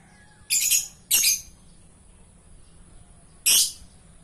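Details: Gacor lovebird, meaning a bird that vocalizes constantly, giving three loud, shrill, buzzy chirps: two in quick succession, then a third after a two-second pause.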